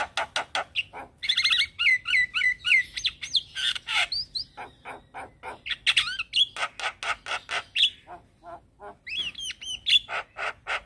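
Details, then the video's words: Black-winged starling in sustained gacor song with head-bobbing: dense mix of rasping chatters, squeaky upslurs, loud whistles and harsh squawks, delivered rapidly and irregularly with barely a pause. "Jalak Kebo gacor manggut Manggut Bikin Semangat Jalak Kebo macet Bunyi"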